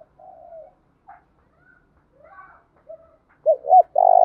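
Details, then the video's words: Decoy-style spotted dove cooing at the end of the clip, a pair of short arched notes and then a long coo that is cut off. Scattered faint calls from other birds come before it. "nghe cu gáy gáy"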